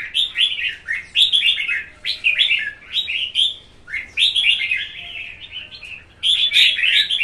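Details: A male red-whiskered bulbul in its second season, in a singing contest, sings bright, bubbling whistled phrases in quick bursts about every second with short pauses, loud and close.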